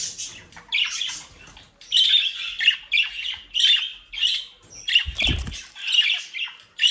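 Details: Scratchy, buzzy squawks from home-bred budgerigars, mischievous young birds in the Netherlands, come in steady bursts roughly every half second to second, with a brief low thump midway.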